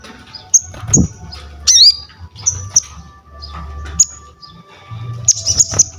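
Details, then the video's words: Crested jay singing, used to tutor and stimulate other birds: sparse high sharp whistled notes and one twisting slurred call, ending with a brief dense buzzy burst, with a steady faint tone and low hum behind. "SOGON GACOR UNTUK ASAH MENTAL, MASTERAN DAN PANCINGAN BUNYI"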